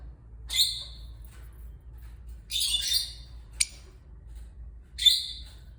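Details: Opaline lovebirds giving shrill, harsh squawks in short bursts about every two seconds, one sharp click between, in a quiet room.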